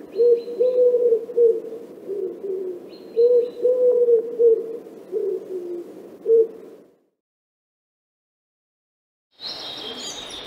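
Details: In Central Russia, a stock dove (Columba oenas) gives two runs of low, hollow, rhythmic coos, each about three seconds long; after a pause, a brief high-pitched sound cuts in at the end.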